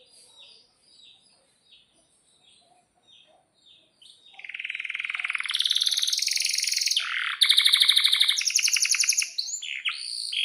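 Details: Canary song, long rolling style: soft scattered chirps at first, then a loud continuous rapid trill, a rattling buzzy roll, and a few sweeping whistles near the end.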